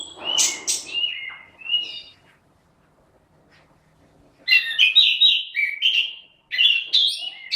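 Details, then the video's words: An orange-headed thrush kept in a cage sings strongly: brief high notes and falling whistles, a two-second quiet gap, then rich, fast, varied warbled phrases. "Burung Anis Kembang GACOR"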